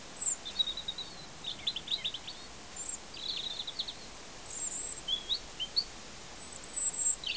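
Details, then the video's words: European robin singing short, thin, high warbling phrases separated by pauses, in an apple tree in a garden in summer 2006, over a steady background hiss. "robin singing in our garden in apple tree"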